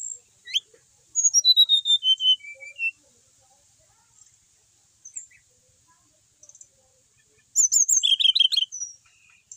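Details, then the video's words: Brown-chested jungle flycatcher kept as a pet and said to sing steadily, giving a sharp rising note, a series of falling whistled slurs, a long quiet gap, then a loud rapid warbled trill. "Emang enak kalo punya burung srdc mapan, mau di apain aja tetap gacor,sikatan rimba dada coklat bali"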